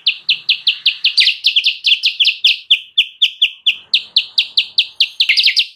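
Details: Kutilang sutra, a lure for wild birds, gives a fast, unbroken string of bright, high chirps, evenly repeated, with a few doubled notes mixed in.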